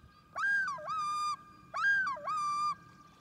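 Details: Common loon on a lake, a mother chasing two invaders off her water, with a small group including a chick nearby: two loud wavering tremolo phrases, each a quivering yodel-like rise followed by a held level note, in quiet surroundings.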